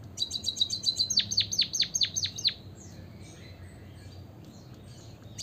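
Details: Lure song of a white-headed munia meant to get other birds singing: fast high chips run into a string of plunging down-slurred notes, stopping after two and a half seconds, followed by quiet with faint distant chirps.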